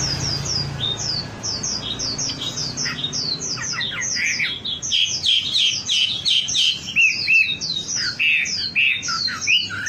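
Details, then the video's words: Wambi song played as a lure to make birds sing often: a fast, busy stream of high squeaky chirps that thickens midway into loud, crowded twittering with downslurred notes. "Suara pancingan burung wambi agar cepat gacor"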